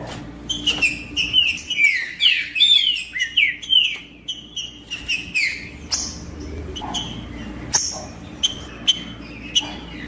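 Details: Wild green-winged saltator in the bush, played to excite a captive male: a dense run of bright slurred whistles falling in pitch, then spaced short notes broken by sharp clicks.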